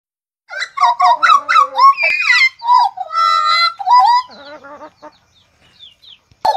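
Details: Hooded butcherbird (blorok type), a kept bird singing vigorously, recorded 29 October 2019: rich, fluty whistled notes and quick slurred phrases, some rising and falling, with clear pauses between bursts.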